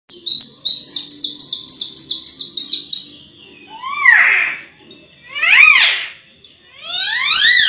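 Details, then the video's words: Sulawesi myna, locally called raja perling, opening with a quick run of high, repeated chirping notes. Three loud, harsh, rising-and-falling squawking calls follow, spaced about two seconds apart. "BURUNG RAJA PERLING ‼️suaranya merdu sekali"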